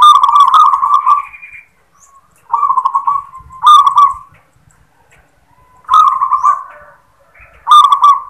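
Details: Zebra dove of local stock giving the "klar ketek kuk" song: rolling, bubbling coo phrases of about a second each, repeated after short gaps, with softer trilled notes between them.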